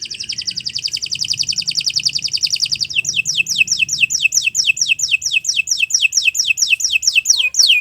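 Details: Canary singing for training, a fast high rolling trill lasting about three seconds, then a steady series of descending whistled sweeps repeated several times per second.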